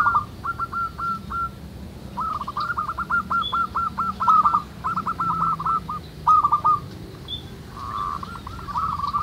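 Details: Busy chorus of local zebra doves in the wild, several strings of quick, bouncing cooing notes separated by short gaps, over a soft low rumble and occasional distant chirps.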